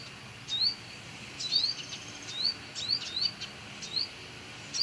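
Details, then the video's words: Sunbird singing near its nest in a house yard: short high, thin whistled notes, each with a quick upward flick, given in scattered bursts about once a second against a soft steady background hiss. "Gacor!!! Menemukan sarang burung penghisap madu sogok ontong di area rumah"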